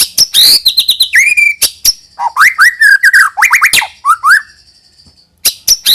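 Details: White-rumped shama singing to coax young birds into song. A varied sequence of sharp high notes, quick repeated whistles, and looping slurred phrases, followed by a near-silent gap and a final pair of high notes.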